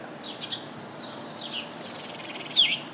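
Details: A house sparrow perched chirping in a bush full of house sparrows: a few short, high chirps that sweep downward, with a louder sharp chirp near the end over a faint hiss.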